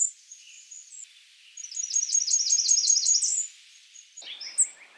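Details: Blackburnian warbler giving a single high, thin run of rapid notes that rises at the end, with faint high chips before it and other short bird notes afterward.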